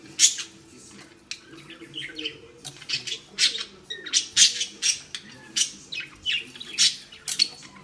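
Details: Pet budgerigar, female, angrily pulling at a ball tied on a string and failing to tear it off; harsh, buzzy squawks and chirps in rapid bursts about every half second, bright and high, with faint soft rustling beneath.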